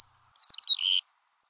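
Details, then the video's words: A male Black-capped Chickadee gives the gargle, an aggressive call lasting about half a second: a rapid, sputtering jumble of high notes ending in a short buzzy trill. "gargle"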